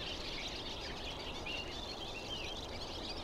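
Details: Barn swallows, some 50 to 70 birds perched together in a tree by Greifensee, Switzerland, possibly on migration; constant overlapping twitters and chirps form an unbroken chatter over low rushing noise.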